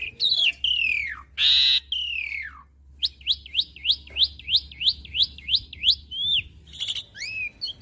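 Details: Asian pied starling singing, recorded as master material for young starlings to learn: long descending whistles and a buzzy burst, followed by a steady series of about ten repeated upswept whistled notes.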